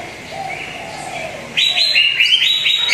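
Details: Greater green leafbird song used as a lure to get a rarely singing bird to sing: soft, drawn-out whistles at first, then a loud burst of quick, bright, repeated rising notes in rapid succession.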